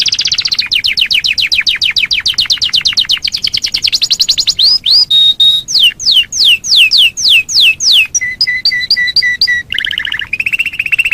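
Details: Canary master song for training other birds: quick repeated trill, looping whistles, a series of falling whistled notes, paired chip notes, then a lower rattling roll.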